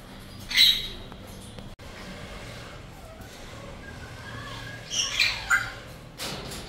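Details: Cockatoo calls: a sharp, loud screech early on, then a quiet stretch and a cluster of three rasping squawks near five seconds, followed by a fainter harsh burst at the end.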